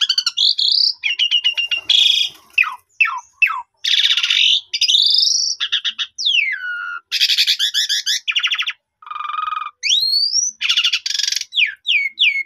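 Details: Long Asian pied starling sequence meant to coax a starling into full song: alternating harsh pulsed rattles, sweeping whistles rising and falling, and crisp repeated chip notes.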